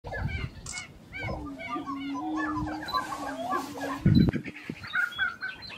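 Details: Grouse displaying at a lek in Colorado in April 2023: a chorus of many short, popping and bubbling notes over a steady low hum, with a loud low thump near the end.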